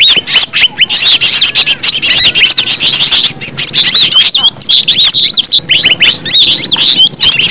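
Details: Green leafbird, natural original voice for luring: lively high-pitched warbling of slurred whistles and staccato chirps, pouring out continuously, with a brief lull around three and a half seconds.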